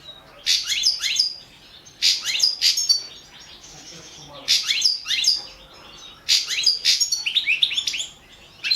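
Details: European goldfinch, subspecies balcanica, recorded for the 2017 internet world championship in goldfinch song; lively, continuous-seeming phrases of crisp descending twitters and trills, grouped in four main bursts.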